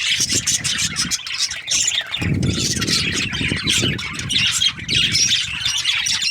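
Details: Budgerigars in breeding season, a flock chirping together: dense, overlapping high twittering and warbling chatter without pause, with low rumbling and handling thumps in the background.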